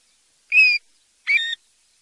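Two clear, plaintive whistled notes from a European golden plover, about three-quarters of a second apart, the second slightly higher and rising; nothing else is heard.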